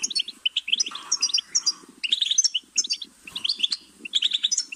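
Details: Goldfinch song of scattered tinkling chirps and buzzy twitters over a low rumbling murmur in the background.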